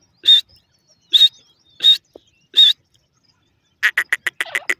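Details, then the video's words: Teetar partridge giving four clear, high, evenly spaced whistled notes about every seven tenths of a second, followed by a quick run of dry ticking notes, 'tik tik', that speeds up at the end. "teetar awaaz tik tik"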